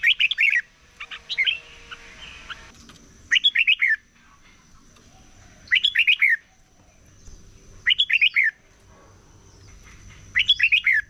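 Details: Red-whiskered bulbul sings in the morning as part of competition singing, giving brief, bright, descending warbled phrases roughly every two and a half seconds, five phrases with quiet gaps between, a faint high steady tone running throughout.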